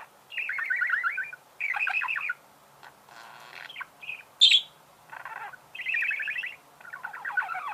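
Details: Budgerigars sing scratchy, creaking chatter in bursts of about a second, with a softer rasping passage, a sharp high squeak, and more rippling buzzy warbles.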